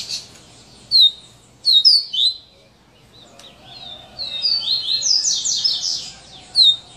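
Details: Sharp, separated high slurs from a coleiro, then a busy, grating rush of high notes typical of the "serra elétrica" song type.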